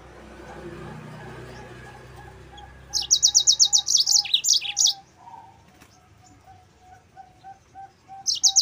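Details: Training song of a yellow-fronted canary, meant for other canaries to copy: after quiet, a quick rattling series of high chirps and twitters, with a lower soft whistle repeated steadily in the background and a final burst.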